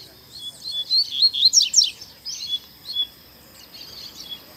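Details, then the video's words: Double-collared seedeater singing forcefully in a town square, giving a short run of crisp high chips and sharply dropping whistles, then fading into softer notes over a steady faint tone. "Coleiro Batendo Forte - Solto Na Praça!!!"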